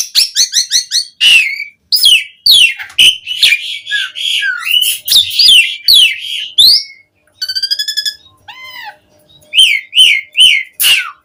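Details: Asian pied starling song as a lure to make starlings sing: rapid clicking notes, varied slurred whistles and harsh squeaks, a buzzy rattling phrase, then a few arched whistles.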